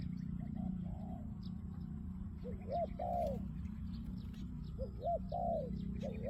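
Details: Kept spotted dove cooing: soft, hoarse rising-and-falling coo phrases in two groups, each ending in a longer drawn note, over a strong steady low hum and background hiss.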